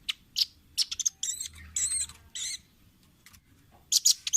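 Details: Velvet-fronted nuthatch on a training recording for caged birds, giving harsh, buzzy, high notes. Some are short and some drawn out, in irregular bursts separated by a pause.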